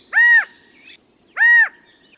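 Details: California quail gives its advertisement call: two loud, nasal, slightly arched 'kaa' notes about a second apart. The background is quiet.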